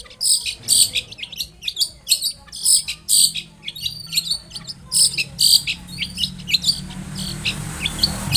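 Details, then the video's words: Long-tailed shrike in full song, meant to prompt a shrike to reply: rapid series of piercing, high clipped notes and chattering bursts, easing toward the end as a low hum rises underneath. "SUARA cendet gacor INI AMPUH untuk pancingan agar cendet bunyi JADIKAN burung cendet NYAUT SEKETIKA."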